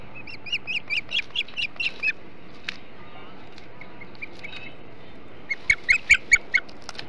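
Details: Ospreys feasting on a huge flounder at their Hog Island nest, 21 July 2016, 08.05; a steady series of about nine sharp whistled chirps, a pause, then five more louder piping notes.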